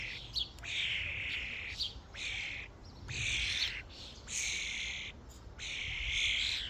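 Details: At a feeding station, a starling flock gives rasping, screechy calls of about a second each, spaced by short pauses, with a couple of brief sharp clicks.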